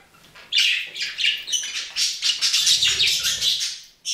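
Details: Budgerigar chattering in a rapid run of scratchy, high chirps and squawks, bursts pulsing several times a second after a half-second pause, with a faint low rumble underneath midway.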